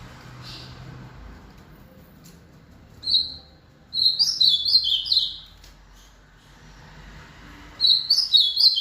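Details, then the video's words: Ultramarine grosbeak performing its rally song after an outing, with three bursts of bright, high whistled notes: a short one, then a longer tumbling phrase of rising and falling whistles, and another phrase at the end. Quiet pauses between. "Azulão RALLY depois do passeio."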